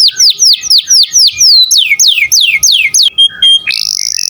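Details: Singing canary, recorded as a tutor for other songbirds: a run of loud, clear whistles each sliding steeply downward, repeated about eight times a second, ending in a short note and a high rattling trill.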